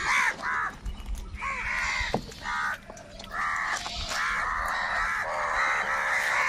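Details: Crows squabbling over food: loud, raspy caws in quick overlapping bursts, several birds calling at once, with a sharp click near the two-second mark.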